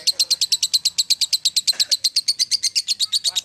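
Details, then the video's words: Rhythmic ngekek chatter by a lovebird, crisp scratchy notes repeated roughly seven times a second with steady spacing, high and bright, a faint low rustle underneath. "Sang legenda Lovebird Kusumo"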